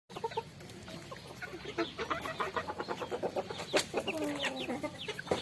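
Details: A farm flock of chickens eating rice, making rapid rhythmic clucks and chirps with pecking clicks and a longer wavering call near the end.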